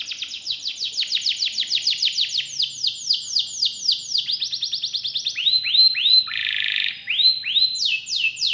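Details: Canary singing a long run of rapid repeated downward-sweeping notes, then rising whistles, a short harsh buzz and more upslurred notes.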